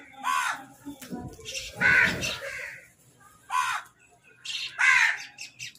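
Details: Crows squabbling over food as they eat, giving loud, grating caws in four separate bursts of about half a second each, with a low rustling or thumping sound under the second burst.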